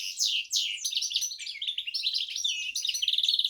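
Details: Rapid, high warbled song from a goldfinch x canary hybrid, ending in a quick run of evenly repeated trilled notes.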